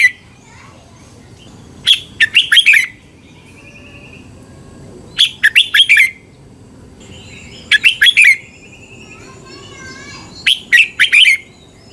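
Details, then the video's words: Red-whiskered bulbul song from Thailand, played to train or excite caged birds: short loud phrases of four or five quick bright whistled notes, repeated about every three seconds, with softer warbling and faint chatter between phrases. "เสียงนกกรงหัวจุก สำหรับต่อ หรือ เปิดให้นกคึก เสียงเพราะๆ"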